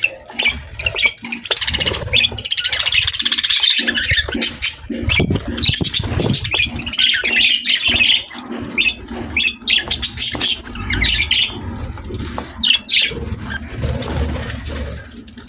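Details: Budgies kept as pets chatter almost continuously while eating healthy food: dense, warbling high chirps and squeaks, with crunching, pecking and rustling underneath.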